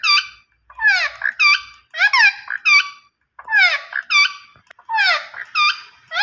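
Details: Green ringneck parrot: harsh, nasal squawks with falling, rasping sweeps, given in uneven pairs and short groups with brief gaps, in a small indoor room.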